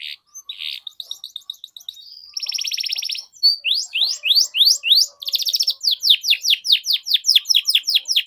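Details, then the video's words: Canary song played to train young canaries: soft scattered chirps, a buzzy rattling trill, then a string of loud rising and falling whistled notes alternating with rattles. "PANCINGAN Kenari GACOR PANJANG Cuit CUIT Ini Ampuh Untuk MASTERAN PAUD Kenari Belajar BUNYI"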